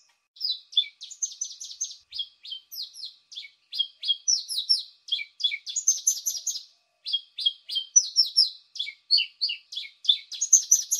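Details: Paddyfield pipit lure call: a rapid, steady stream of high, sharp chirping notes, several per second, with short pauses and nothing else heard.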